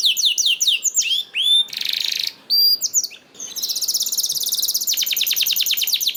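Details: Canary song used as a prompt for silent canaries: descending sweeping notes, a pure whistled note, a harsh buzz, then a long fast high trill.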